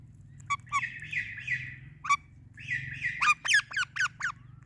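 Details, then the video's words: Pet Indian ringneck and Alexandrine parakeets making happy sounds together on an evening: harsh raspy squawks and sharp chattering notes in bursts, with a low steady hum behind. "Amazing Ringneck Parrot Natural Sounds | Natural Parrot Voices and Calls"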